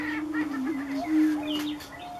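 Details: Prairie chicken mating dance, Nebraska sandhills: a sustained low hooting drone that dips and swells, with a short higher whoop and faint chattering notes above it.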